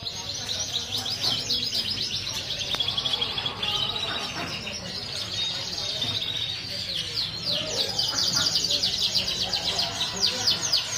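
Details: Yellow Parisian frill-back canary from a breeding pair sings: fast, high, bright chirps and rolling trills, about four notes a second, running on without pause over a faint background hum.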